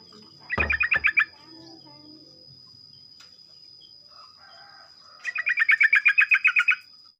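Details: Sooty-headed bulbul in morning song, played to get other bulbuls calling: a brief bubbly burst, a quiet pause with faint soft notes, then a longer run of rapid, evenly spaced chattering notes.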